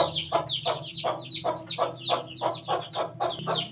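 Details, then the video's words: Eighteen-day-old chick making regular, high, downward-slurred peeps about three per second, each a clear falling chirp, over a low humming background. "18 days old chick"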